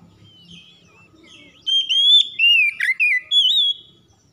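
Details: Oriental magpie-robin in lively song: after faint background sound, a rapid string of bright whistles, slurred up and down, with a sharp buzzy note in the middle, ending in a rising whistled trill.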